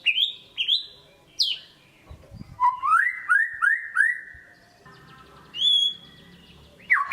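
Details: White-rumped shama kept as a cage bird, singing a lure song: clear rising whistles, a soft thump, a row of four arched whistled notes, then scattered higher whistles with a faint background hum.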